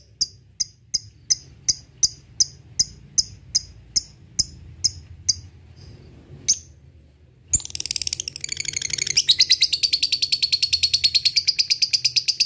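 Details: Lovebird song used as a lure to provoke rivals, in the ngetik-then-ngekek style: a series of sharp, evenly spaced high ticks, a pause, then a fast, long, buzzy high chattering trill.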